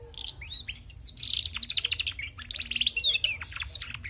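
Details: A female canary sings energetically, opening with a few whistled notes before breaking into fast, buzzy rolling trills and crisp chips in rhythmic pulses.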